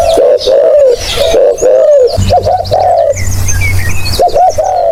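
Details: Low hoarse spotted dove coos for luring: a chain of drawn-out coos, then a phrase of two short notes and a long one, with faint background chirps and hum.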